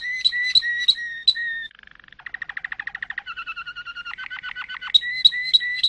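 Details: Malinois canary singing a varied song: clear doubled whistled notes repeated about three per second, then a soft fast trill, a buzzy rolling tour, and stepped rapid note series, ending in the opening whistled phrase again.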